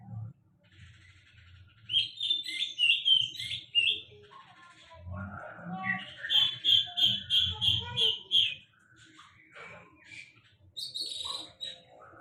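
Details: Sulingan laut singing: bursts of bright, rapid chirping notes, a run of evenly repeated clear whistles in the middle, scratchy twitters between phrases, over a low background hum.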